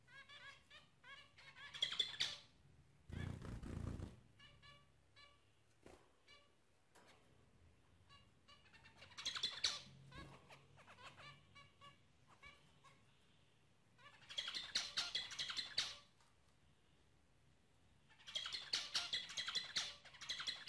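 Zebra finches give nasal, buzzy bursts and short squeaky notes in clustered phrases.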